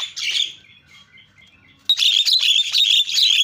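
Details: Jalak starling lure song: a harsh burst, a faint pause with soft notes, then a loud sustained stretch of dense scratchy, buzzy chatter.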